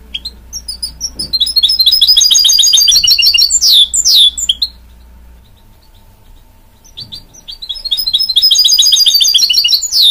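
A goldfinch-canary mule sings long, rapid runs of high twittering and trilled notes, pauses for about two seconds, then starts again over a faint low hum.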